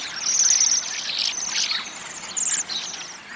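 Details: Waxwings trilling in a group, thin high buzzy notes piling over one another, with a few louder trills standing out above background noise.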